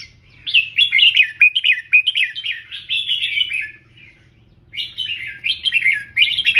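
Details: Red-whiskered bulbul as a tutor bird, singing "double 3": a long chain of quick, sliding warbled notes lasting over three seconds, a brief pause, then another lively run of chattering whistles to the end.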